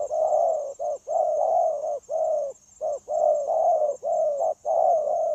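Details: Eager wild-caught spotted dove on 9 January 2024 pouring out dense, connected cooing for coaching trap decoys. Long resonant coos, each preceded by a clipped note, run almost without gaps; a faint high steady tone sits underneath.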